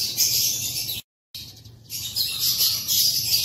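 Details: African lovebirds perched in an aviary on an April morning in 2024, chattering together as a dense, high, shrill mass of chirps, broken by a brief silence.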